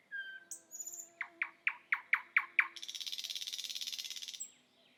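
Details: Thrush nightingale singing in Estonia: a few high thin whistles, then seven loud, evenly spaced descending chock notes, ending in a long dry buzzing rattle.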